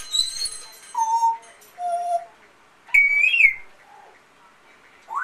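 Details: Captive African grey parrot mimicking sounds, including a companion amazon parrot: flat whistled tones at different pitches, then a loud higher whistle that wavers and falls, with a rising whistle at the end.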